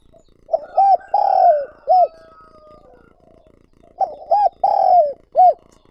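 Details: Lure spotted dove giving its cooing phrase twice to attract wild doves: a clipped note, a rounded coo, a long coo falling in pitch and a last arched coo. A faint whistle-like tone trails in the gap.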